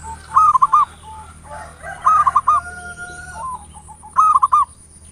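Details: Zebra dove, local strain, ngayer nulop lure song meant to set others singing: three staccato cooing phrases spaced about two seconds apart, with a faint drawn-out tone and soft coos in between.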